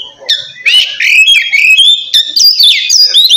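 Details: Oriental magpie-robin in full loud ngeplong song, used to call a rival and provoke quiet birds into singing: varied whistled phrases with rising and falling sweeps and harsh notes, delivered continuously with brief gaps.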